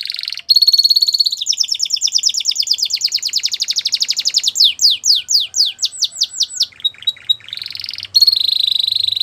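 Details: Continuous canary training song: a ringing high note, a long fast trill, then slurred downward whistles, a lower buzzy section and another bright sustained note.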